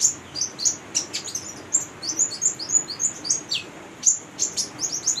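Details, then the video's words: Female brown-throated sunbird calling busily in 'gacor' style as a lure for young birds: dense, rapid high chirps, sharp slurred notes and little descending flicks packed closely together. "Konin betina gacor buat pancingan konin bahan"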